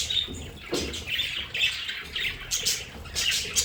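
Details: Several budgerigars kept as pets in a home play area give scratchy, high chirps and squeaks in short clusters, with a soft low rumble in the room.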